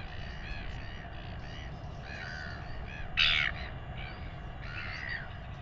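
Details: Royal albatross chick in New Zealand, being fed by its father and weighed, begs with a run of harsh, nasal, wavering calls, broken by one loud rasping squawk midway, over a steady low rumble of wind.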